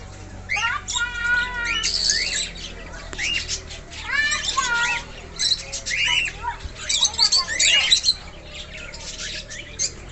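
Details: Just-fledged young cockatiels on their first flight after leaving the nest give bursts of harsh, rising chirps and raspy squawks, several birds calling over one another.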